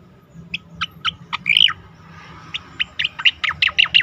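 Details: Asian pied starling singing for competition-bird training: spaced sharp chips build into a warbled slur, then a fast, accelerating series of bright, squeaky notes to the end; soft hum in the background.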